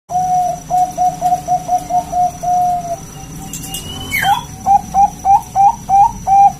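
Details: Local zebra dove singing in a vocal style used to lure other zebra doves into song: a quick run of short, even mid-pitched coos, a brief pause with a rising whistle from another bird, then further clipped coos.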